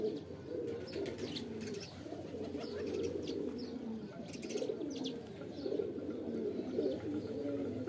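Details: Deep, bubbling pigeon coos overlap continuously, some phrases standing out as brief bursts, with rustling and light clicking above them.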